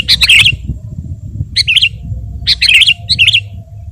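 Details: Sooty-headed bulbul in full song, used as a training and lure recording for kept birds: four brief, liquid, wavering phrases in quick succession, one second or less apart, with a low murmuring hum behind.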